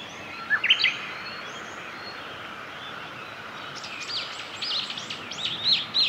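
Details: Male meadow bunting singing along the Hyuga forest road on 1 May 2021: a short burst of sharp high chirps, a pause, then a longer phrase of quick, varied high twittering notes over a steady outdoor hiss.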